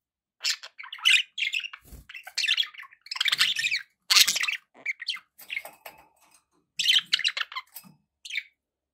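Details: Near-continuous budgerigar chatter: pet birds trade buzzy, scratchy chirps and rapid warbles for about eight seconds, with a few low knocks in the background.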